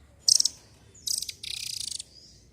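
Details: Velvet-fronted nuthatch (rambatan doraemon) giving a brief high stuttering burst, then two fast buzzy trills of rapid repeated notes, the second trill longer, all very high in pitch.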